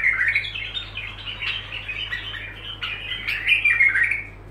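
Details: Bulbul delivering a steady stream of song phrases: chattering, warbled notes repeated about three times per second, loudest at the start and near the end, over a low hum.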